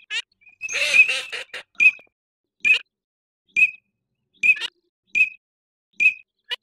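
Eurasian Teal giving short, clear high whistles, repeated about once a second, after an opening burst of mixed chattering calls from several birds.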